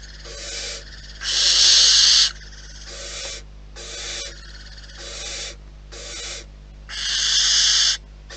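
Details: Series of wheezing, rasping hisses at a wild barn owl nest, some soft and short, two louder ones lasting about a second, spaced roughly every second.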